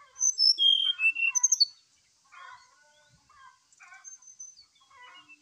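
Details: Brown-chested jungle flycatcher singing actively in the morning, a recording used to provoke another bird to sing: a burst of loud, clear whistled notes stepping downward over under two seconds, then softer low chattering warbles.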